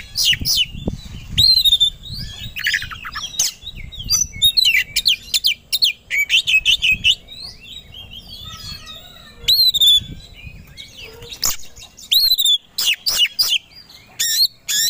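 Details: Agitated Oriental magpie-robin (kacer) singing aggressively, ready to fight: dense runs of loud whistled upslurs, rattles and sharp chips in rapid clusters, with brief quieter gaps between bursts.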